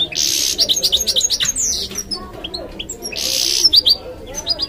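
A goldfinch-canary mule sings bright twittering phrases with buzzy rattles and quick rising whistles.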